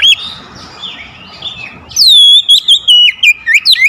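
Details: Oriental magpie-robin song used as a lure to get a lazy singer going: soft, varied warbling at first, then loud, clear whistled phrases from the midpoint, sliding and rising, in quick bursts.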